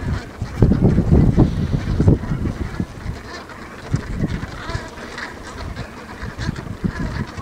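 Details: On Ameland, in a meadow full of geese, a flock honks in a rapid, overlapping chorus of low nasal calls, many at once, with steady wind rumbling underneath.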